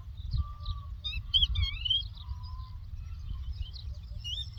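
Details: Singing lark from the land of Doukkala, with clear drawn-out whistles and a lively cluster of looping twittered notes midway, plus a low rumbling noise throughout.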